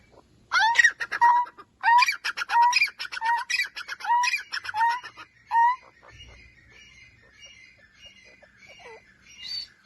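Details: Francolin in a vigorous calling bout: loud rising whistles alternating with harsh, buzzy, stacked notes at a quick, steady pace for about six seconds, then fading to faint, thin whistles and quiet chatter.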